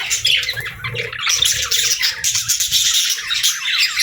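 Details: Pet budgerigars chirping: dense, scratchy warbling and squawky chatter, continuous and overlapping, with a low background rumble throughout.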